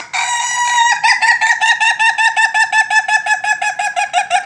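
A rooster gives a loud held note, then breaks into a fast run of harsh, even pulses, about six a second, for several seconds.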